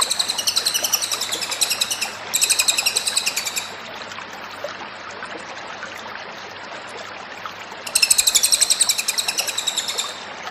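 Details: Cililin singing energetically in a masteran training recording: two bursts of rapid, high, sharply repeated chattering notes, the first lasting about four seconds and the second about three, with a quiet gap between and a low steady hum throughout.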